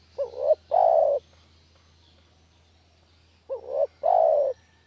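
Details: Spotted dove master lure sound for trapping: two phrases about three seconds apart, each a brief rising double note followed by a sustained mellow coo, over a steady low hum.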